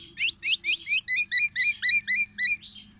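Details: Loud, distinctive song from a tame, actively singing Black-naped oriole: a few harsh, buzzy opening notes, then a steady series of about ten repeated upslurred whistled chirps, evenly spaced and high.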